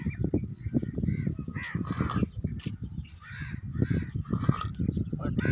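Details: Sick Indian peafowl showing infectious coryza symptoms, with both eyes swollen, gives rapid, low rattling breaths broken by hoarse, nasal honking calls every second or so.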